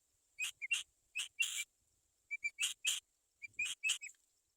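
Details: Black-winged kite chicks, waiting while their mother is out finding food, give short, hoarse, high screechy calls in quick bursts of two to four, about a dozen in all, over a faint steady high whine.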